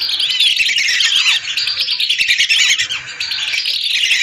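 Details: Lesser whistling ducks, hundreds of birds calling together, used as a lure: a dense, continuous chorus of high, squeaky whistles and chattering notes overlapping without pause, loud and clear throughout.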